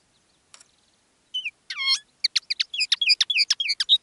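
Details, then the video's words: Caged decoy common linnet singing live: a few faint notes, then a bent whistle and a buzzy descending note, followed by a fast run of sharp twittering chips about three per second. "Canto del Pardillo. Dos pájaros de reclamo"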